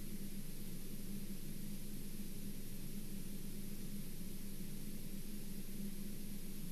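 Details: Constant broadband hiss and low rumble at an osprey nest, with no animal calls.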